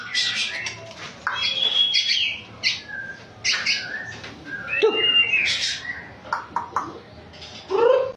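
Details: Champion white-rumped shama delivering a busy, scratchy song of short buzzy bursts, mixed with clear whistled notes and slurs, ending on a loud, low, swooping note.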